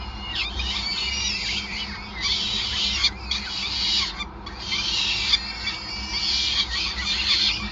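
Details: Peregrine falcon nest at Gasunie, Groningen, 5 May 2020, feeding in progress; high-pitched squealing calls in long bursts separated by short gaps around three and four seconds, steady low hum beneath.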